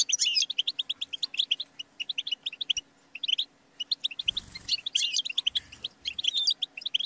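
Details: European goldfinch song for training songbirds: fast twittering chirps in short phrases. About halfway through, a brief broad rustling noise and a low thump interrupt it. A faint low hum is also heard.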